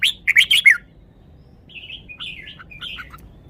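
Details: Red-whiskered bulbul showing off its song phrases in good style. Four loud, quick, scratchy chirps open the phrase. They are followed by a soft, wandering series of whistled, warbling notes.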